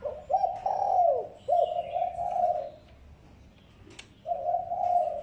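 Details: Spotted dove lure call: a run of low coos with quick slurred notes, then a sustained phrase, a gap with a faint click, and another steady low coo.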